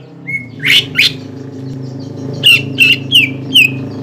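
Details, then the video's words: A greater green leafbird gives contest lure song for stimulating the ngentrok fighting style. A thin whistle leads into sharp chirps, then four evenly spaced downslurred whistles over a steady low hum. "PANCINGAN CUCAK IJO GACOR AGAR MAU NGENTROK DAN FIGHTER SAAT LOMBA"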